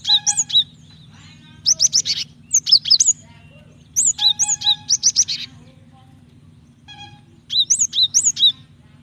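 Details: Female cinereous tit calling to the male, used to provoke singing: repeated volleys of high, piercing, looping chirps, four or five notes per burst, with occasional softer nasal tones in the gaps.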